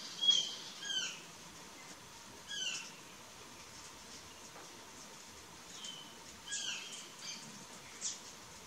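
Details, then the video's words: Plush-crested jay (Cyanocorax chrysops) in courtship phase giving soft, brief, high, scratchy chattering notes, about six short bursts over nine seconds, with quiet pauses between. "GRALHA-PICAÇA fase de namoro"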